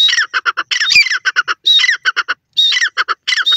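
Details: Teetar, a francolin, calling loudly in a rapid series of harsh, grating squawk phrases. Each opens with a buzzy slurred note, then runs into short staccato notes, repeating with almost no pause.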